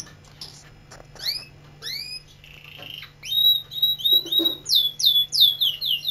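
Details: Canary, a caged singing bird from Quetta known as "Kaneri", sings a fast run of high, sweeping whistled notes, many falling in pitch, growing louder and more rapid toward the end over a faint steady hum.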